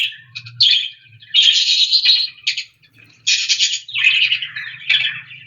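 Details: Common nightingale (Luscinia megarhynchos) singing rich, varied phrases, fast trills and buzzy, ringing notes in bursts of about a second, separated by short pauses, with a faint low hum underneath.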